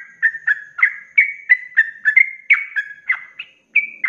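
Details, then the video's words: Sooty-headed bulbul singing in the rapid continuous 'ropelan' style as a training recording for cage birds: a chain of short liquid whistled phrases, about four per second, with a short break near the end. "SUARA ROPELAN BURUNG TRUCUK GACOR"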